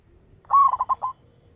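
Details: Local zebra dove, loud-voiced lure bird, giving a single rolling coo: a long opening note breaking into four quick stuttering beats, mid-pitched and clear over a quiet, faintly rumbling background.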